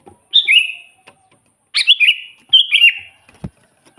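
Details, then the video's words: Sooty-headed bulbul, vigorous lure song for catching wild bulbuls: three quick bubbly phrases of slurred, falling whistles, ending with a soft click. "suara burung kutilang gacor full buat pancingan kutilang pikat"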